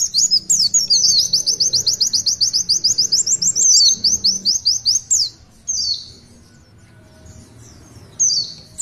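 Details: Oriental white-eye in long 'tulitwitwit' song as a master performer: a dense rapid trill of high chirps for about five seconds, then a few isolated falling whistles amid quiet.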